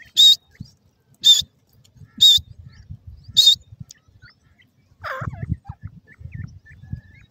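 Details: Grey francolin, Sindh: four loud, shrill, harsh notes repeated roughly once a second, then a lower wavering call followed by low rumbling background noise.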